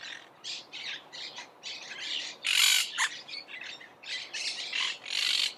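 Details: Continuous rasping chatter from monk parakeets, short harsh notes running together with a louder drawn-out screech in the middle and another near the end.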